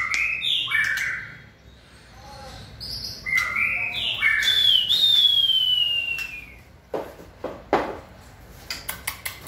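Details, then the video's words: On 20 March 2020 a white-rumped shama in 'fire' singing condition delivers bright slurred phrases, then one long high whistle gliding downward, followed by a series of sharp clicks. "Cọp Biển rực lửa (shama bird)"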